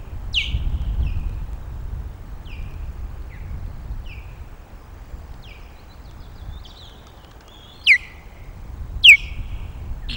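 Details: Osprey at a nest on Loch of the Lowes, morning of 12 May 2022, giving alarm guard calls as intruding ospreys appear: a series of sharp, down-slurred whistles, about one a second, two louder near the end, over steady wind rumble.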